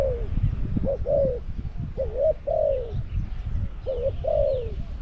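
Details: Caged spotted dove luring wild doves at Song Phi Nong, Thailand: a few soft two-part coos, a quick note then a longer falling one, against low-pitched background noise.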